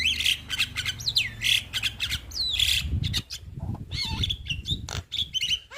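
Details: Young Javan myna (jalak kebo) singing a varied mix of harsh squawks, swooping whistles and clicks, with low rumbling noise in the background.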